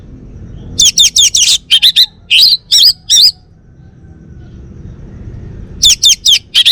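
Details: Male orange-headed thrush from Bali in song: fast clusters of high chirps and wavering whistled notes, a long pause, then another quick flurry of chirps.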